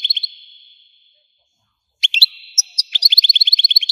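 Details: An Algerian goldfinch opens with clipped notes and a fading whistle, pauses, then bursts into fast tinkling twitters, notes repeated several times per second.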